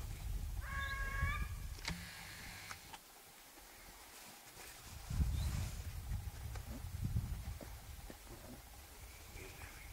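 Sclater's monal gives one brief, nasal, wailing call with a rich harmonic tone, followed by low rumbling background noise and scattered knocks.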